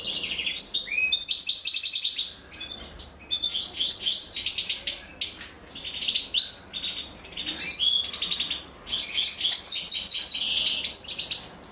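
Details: European goldfinch chicks being fed by the female, giving rapid high chirps and harmonic stacked notes in bursts, with short pauses between bursts, several chicks calling together.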